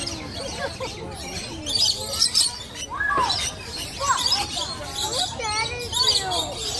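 Lorikeets chatter in a busy flock, with shrill screeches and squeaky, looping whistles overlapping steadily throughout.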